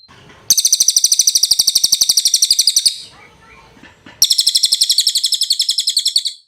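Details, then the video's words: Cililin tutor song for training cage birds: two long bursts of rapid, high, ringing chirps, about four per second, separated by a quiet gap with faint murmuring background. "MASTERAN CILILIN SUARA JERNIH"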